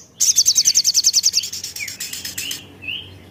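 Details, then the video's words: Lively Javan tesia song for luring other birds into song: an immediate rapid trill of crisp high notes fading into a buzzy chatter, followed by two short rising whistles. "Suara Jernih Burung Sogon Gacor Pancingan Ampuh"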